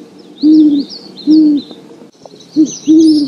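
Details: Low, mellow hoots of a great horned owl in the wild: two long level notes, then a short clipped hoot and a longer one, thin high birdsong behind.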